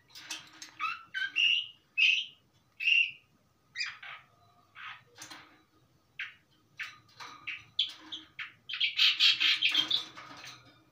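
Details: Long-tailed shrike in steady song, said to be full of varied material or fill notes. A rapid string of loud, clipped whistles and chattering notes builds into a dense, scratchy burst near the end over a faint constant hum.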